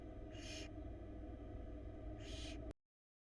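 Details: Barn owl nestling at a Florida nest box camera, trying to swallow a huge rat: two harsh, breathy hissing bursts about two seconds apart over a steady low electrical hum, ending abruptly.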